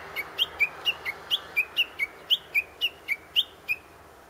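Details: Japanese bush warbler calling from a tree near a grave, filmed handheld on a compact digital camera: a fast run of short, sharp whistled notes, about four per second, wavering slightly in pitch for over four seconds.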